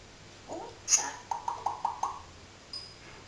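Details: Pet parrot talking, a bird said to chatter all day long: a short speech-like phrase, a sharp click, then five quick matching syllables in steady succession, ending with a faint thin note after a pause.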